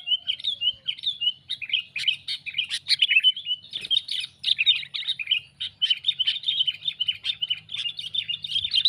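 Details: Sooty-headed bulbul (Pycnonotus aurigaster), calls.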